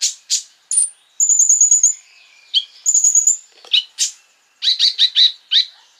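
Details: Sunbird (konin) lure song meant to provoke rivals: scattered sharp high chips and two thin, very high buzzy trills, then four quick bright notes in a row. Brief silent gaps separate the phrases.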